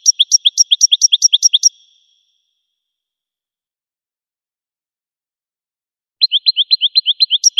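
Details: Goldfinch singing in two bursts: a quick trill of paired high and lower chirps, a few seconds of silence, then another fast rattle of sharp, repeated notes; quiet background.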